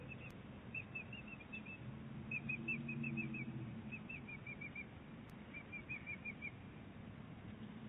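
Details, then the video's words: At Big Bear Lake, 23 April 2018, a bald eagle mother and eaglet trade calls: bursts of four to six quick, high, thin piping notes separated by brief pauses, over a constant low hum. "Big Bear Lake eagles; great conversation!"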